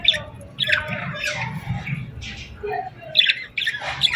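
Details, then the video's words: Sunset birdsong on a summer evening: scattered squeaky chirps and short harsh notes from several birds, with brief clear high whistled pips, over a soft low background murmur. "Evening Birds Chirping Sounds Effect | Summer Birds Singing at Sunset"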